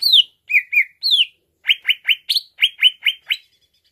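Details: Greater green leafbird singing to rouse another bird's excitement. It opens with falling whistles and short level chirps, then fires a steady rapid run of about nine sharp upward-slurred notes, each roughly a quarter second apart.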